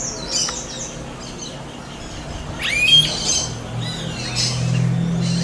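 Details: Wild smooth-billed ani in full voice: scratchy high squawks and a sharp rising whistled note midway, with a low steady hum in the background.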